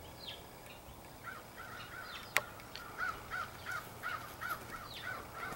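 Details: Many crows in a large extended family group, possibly picking mates, April 2015; after scattered distant calls, a run of harsh, evenly spaced caws about every third of a second, with one sharp click midway.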